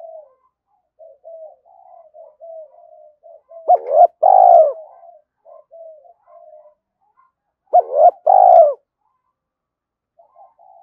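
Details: Spotted dove in thúc calling, used to draw wild doves in quickly: quiet murmured coos run throughout, broken twice by loud two-part phrases, a brief note then a longer falling coo, about four seconds apart.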